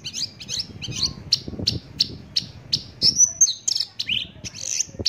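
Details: Javan bush lark with a varied, fast song of high chirps, a drawn-out thin whistle and buzzy descending notes, over a low rumbling background.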